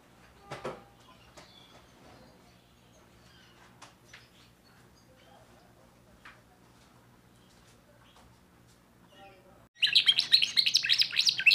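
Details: Young Timbrado canary from 2024 singing: scattered faint chirps in a quiet room, then a sudden loud burst of rapid, dense, high trilled song for the final two seconds.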